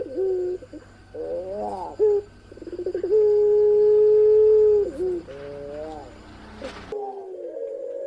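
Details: Cooing parade of pelung ringneck doves, one of them female: wavering short coos and a rapid pulsed run lead into a long, steady, pure-toned coo that dips at its close, with low background hum.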